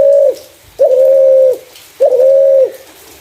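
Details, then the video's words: Spotted dove with a clear voice, used as a lure for other doves, giving three smooth mid-pitched coos. Each is a level note about half a second long with a brief upward flick at the start. Repeated about every 1.2 seconds. "Burung Terkukur // Suara jernih cocok untuk pancingan"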